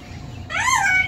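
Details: Yellow-naped amazon parrot kept as a pet, singing a human tune just after the word sunshine; a short voiced phrase rising then falling, with rich overtones, in a quiet room.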